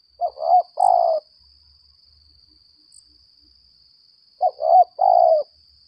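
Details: Decoy spotted dove ('lambung kuk' type) calling in contest: two short-note-then-long-drawn coo phrases about four seconds apart, over a constant thin high-pitched whine.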